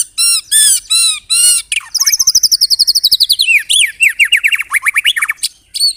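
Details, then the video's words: White-rumped shama singing canary and cililin imitations: four harsh slurred notes, then a long rapid run of clipped high notes and a falling series of sweeping whistles. "MURAI BATU ISIAN KENARI, CILILIN SUPER NEMBAK"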